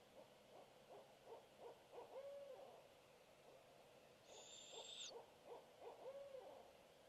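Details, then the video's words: Adult barred owl hooting its "who cooks for you" phrase off in the distance while attentive owlets listen, April 26, 2016: low, slurred hoots in two rhythmic series, with a brief high whistled note midway. "Barred Owlets Hear Hooting"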